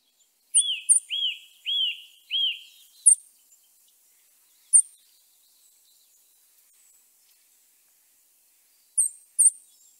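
Eurasian nuthatch song: four clear, slurred notes given in quick succession, about twice a second, with sharp high ticks scattered through the quiet that follows.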